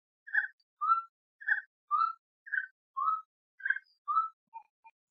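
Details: Gray-necked wood rail, known in Brazil as saracura-três-potes or sericoia: loud paired notes alternate, a higher harsh note then a lower rising whistle, repeated about four times at an even pace, ending in short softer notes on a clean background.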